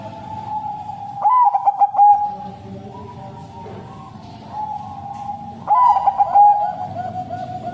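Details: A Bangkok crossing zebra dove sings a 'sad voice' song used to prompt other doves to sing, giving two phrases of soft, rolling coos with a fluttering stutter, set against a continuous humming background tone.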